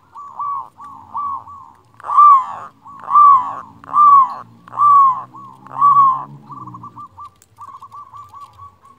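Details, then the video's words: Local zebra dove with a loud voice, used to make lazy doves sing: short soft coos, then five strong swelling coo notes about a second apart over a low hum, ending in fluttering rolled coos. "Perkutut lokal gacor suara besar Masteran perkutut bikin yang malas jadi bunyi."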